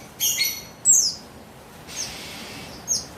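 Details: Female buxtoni Javan white-eye calling to lure and stimulate a male to sing, recorded 3 August 2021: a few very high, thin chirps and a short downward-sliding tweet, separated by quiet gaps.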